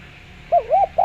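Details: Spotted dove lure call, a brief soft wavering coo that dips and rises, cut off by the start of another note.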